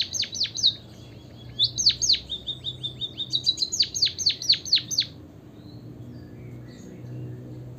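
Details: A White-headed Munia gives a fast run of thin, high chirps, each a sharp downward-sweeping note, about two a second for five seconds, then falls quiet; used as a lure to make munias sing.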